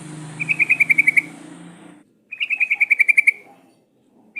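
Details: Sooty-headed bulbul used as a lure to prompt singing: two bursts of about nine to ten quick, evenly spaced bright notes, separated by a brief silence, over a faint low hum.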